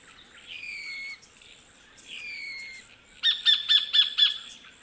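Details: A sacred kingfisher in Wollemi National Park, Australian bush, gives two drawn-out, squeaky, slurred 'tchyeeeur-kyeeeur' notes, then a quick burst of five harsh, scratchy 'kek' notes over quiet background hiss.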